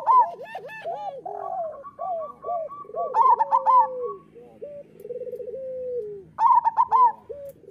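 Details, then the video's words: Singing local zebra doves recorded as a training song for doves: bouncy arched coos and rolling trills, with a faint, level trill from a second bird running underneath. "Perkutut lokal gacor Suara Masteran Burung Perkutut"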